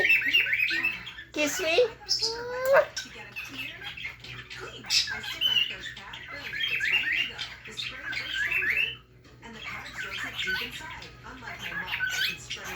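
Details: A lutino pet cockatiel talks in scratchy, squawking mimicry of words like "birdie", "kiss" and "peekaboo", broken by bright whistled notes.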